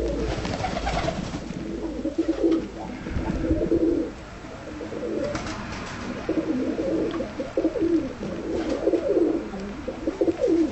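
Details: Tumbler pigeons kept in a loft, timid-looking yet easy to control, giving repeated low rolling coos in bursts across the recording, with some rustling and faint background noise.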